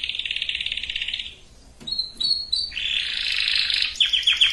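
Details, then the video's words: Canary song played to prepare females and males for breeding: a dense buzzy roll, then a short silence, then clipped whistled notes and a broad churring trill ending in quick repeated chips. "اقوى وافضل تغريد كناري لتجهيز الاناث وتجهيز الذكور canary singing"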